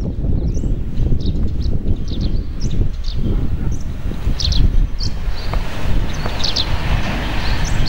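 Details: Russet sparrow in a cherry tree giving brief, high, sharp chirps, loosely spaced, with a brighter cluster midway and another near the end, half buried under steady low wind noise.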